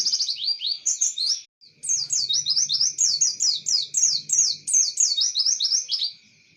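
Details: Pleci white-eye delivering an imitation of Java sparrow phrases: a long, fast run of sharp, high-pitched downslurred chirps, broken by one short pause. A constant tonal hum sounds in the background.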